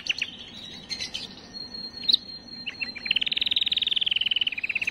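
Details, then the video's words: Canary song meant to stimulate females: scattered short chips and a brief whistle, then a long, fast, evenly pulsed roll over the final two seconds. "اقوى تغريد كناري للتسميع وتجهيز وتهييج الاناث"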